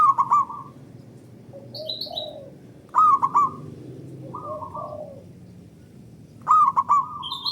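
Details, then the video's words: Zebra dove, a local bird, singing to trigger song in other doves. Three loud triple-noted coo phrases come about every three to four seconds, separated by softer murmured coos. Light high chirping sounds in the background. "Pancingan Burung Perkutut Lokal Gacor Dor Bersaut Sautan $uara Keras Panjang"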